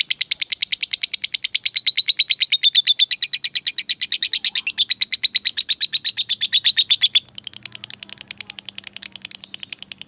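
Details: Fighter lovebird calling a rival with a long 'ngekek' chatter, an unbroken rapid stream of piercing high notes that slowly falls in pitch, then turns into softer, looser ticking after about seven seconds over a faint low hum.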